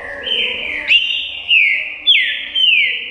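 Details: Green-winged saltator, known as trinca-ferro, a bird named Sadraque, singing loud clear whistled phrases: sliding downward notes between mid and high pitch, repeated roughly every half second, with faint background noise.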